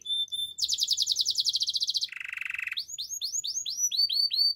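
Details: Canary gives a short whistle, a fast bright high trill, a lower buzzy roll, then a chain of rising-then-falling whistled notes repeated several times a second.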